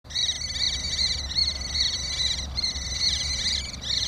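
A Common Kestrel gives a shrill, rapid trill of rasping notes during mating, in long bursts broken by brief pauses, over a low background rumble.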